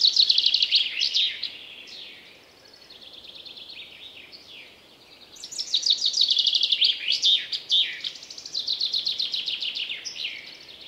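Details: Woodland chaffinch singing repeatedly: several songs in a row, each a rattling series of high notes descending to an emphatic end, with short pauses between them.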